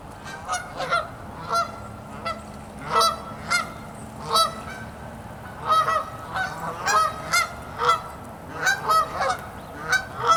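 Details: Canada geese on a pond as freezing ice spreads, birds lying and walking on the ice. Loud, brassy honks repeat steadily, under a second apart, sometimes in pairs, for the whole stretch.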